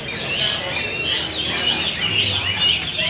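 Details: Old wild-caught hwameis in cages at a singing contest deliver a steady, crowded stream of bright whistled and warbled phrases, many birds singing at once.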